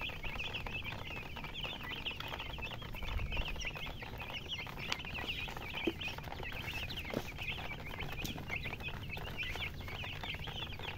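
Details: A flock of baby chicks keeps up continuous shrill peeping, with many short wavering notes crowding together, a few faint clicks, and a soft low murmur beneath.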